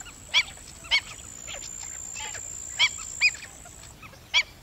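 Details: Black-winged stilt calling with short, harsh, yapping notes, five loud ones at uneven gaps with softer calls between, against a constant thin high whine.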